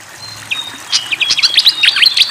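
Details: Fantail in full, lively song beside flowing water: after a brief quiet start, a long thin whistle runs under quick clustered chirps and short upslurred notes that build in loudness.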